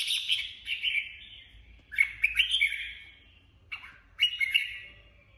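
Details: Red-whiskered bulbul (Pycnonotus jocosus) song: three bright, chattering whistled phrases about two seconds apart, each with a sharp start and a trailing warble; nothing else is heard.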